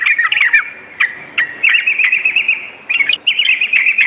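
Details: Sooty-headed bulbul singing at night for fighter-bird conditioning: a brief, busy sequence of bubbly, slurred notes and quick high ticks, nearly continuous.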